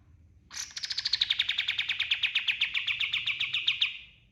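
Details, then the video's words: Kapas tembak white-eye in full, lively song, used as a master song for training all kinds of birds: a fast, high, rattling trill of evenly repeated notes lasting about three seconds, slowly falling in pitch and fading at the end. "SUARA KAPAS TEMBAK GACOR 100% DAHSYAT UNTUK MASTERAN SEGALA JENIS BURUNG"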